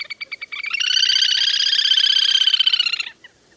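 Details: Lesser whistling duck calls used as a hunting lure: a rapid series of sharp nasal notes, about four per second, swelling into a dense continuous chattering burst for two seconds, then stopping abruptly.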